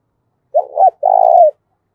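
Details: Fight-provoking call of a spotted dove, giọng thổ pha voice: paired short hooked coos followed by a long, evenly vibrating coo, clean and close.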